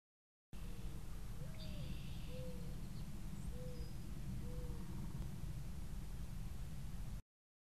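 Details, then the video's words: A mourning dove gives a soft, hollow series of low coos, one rising note then three drawn-out ones about a second apart, over heavy low rumble. "Mourning Dove"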